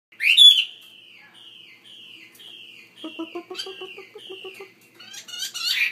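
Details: Chinese hwamei kept in a bigger cage, opening with a loud ringing note, then a run of clear, down-slurred whistles about twice a second, ending in rich, tumbling phrases; a low stuttering chatter runs underneath midway.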